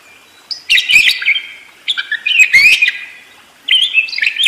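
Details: Budgerigar singing continuously in the energetic ngerol style: three bursts of buzzy, chattering warble, mixing harsh rasps with short high squeaky notes, separated by brief quiet gaps.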